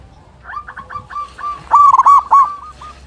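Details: Local zebra dove singing with a big voice; a fast string of short staccato coos swelling into louder, fuller rolling notes.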